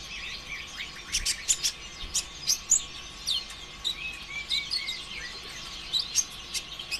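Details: Sunbird twittering used to encourage other sunbirds to sing, a steady series of high squeaky chirps, slurred notes and crisp clicks spaced through the clip, over faint steady hum.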